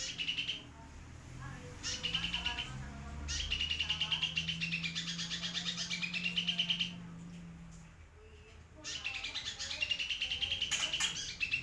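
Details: Singing sunbird, local name kolibri gunung, used to tutor shamas and oriental magpie-robins: repeated fast high-pitched trills and twittering runs broken by short pauses, with a faint low hum underneath.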